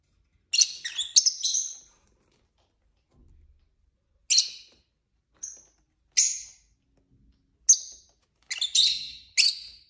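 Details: Pet lovebirds, a mixed group of males and females, give bursts of high, harsh chirps and squeaky twitters in short clusters separated by pauses, with a soft low thump in between.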